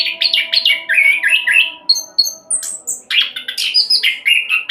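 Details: Rapid rolling song of an orange-headed thrush, played to prompt other birds to sing: clustered warbled notes, a few pure high whistles, then a burst of quick scratchy phrases over faint constant hum.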